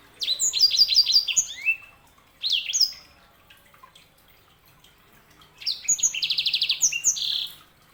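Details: Sanger canary hybrid song: quick series of high swept chirps, a few isolated notes after a pause, then a fast buzzy trill with repeated chirps.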